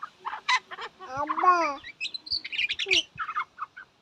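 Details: Myna (shalik) mixing a gurgling, wavering nasal note with high squeaky whistles and quick clicking chatter, the phrases varied and irregular.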